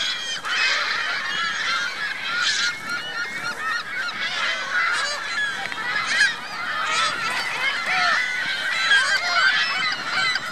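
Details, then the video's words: Chorus of geese and goslings at Virginia Lake, Reno, with overlapping harsh honks and a continuous stream of thin, curved peeps, plus louder bursts of calling every second or two. "Geese Goslings Reno Virginia Lake"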